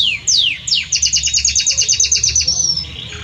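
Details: Belgian canary male sings for his mate, opening with two steep falling whistles, then a rapid even trill of paired high notes about five per second, ending in a thin sustained whistle.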